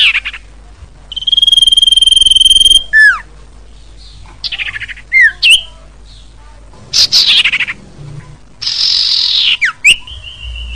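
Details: Song of a common iora, played to lure birds: a long steady high whistle, a falling slur, scattered short chirps and upswept notes, then a loud buzzy rasp and a closing sharp whistle.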